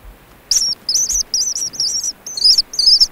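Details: Ancient murrelet chicks in a burrow on Frederick Island, their calls grown more animated: a fast, excited run of high wavering cheeps, several per second, nearly continuous and louder toward the end.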